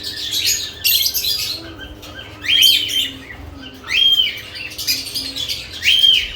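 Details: Several caged lovebirds active around newly added nest boxes, giving loud, harsh high chirps and squawks in bursts about every second or so, with a steady low background hum.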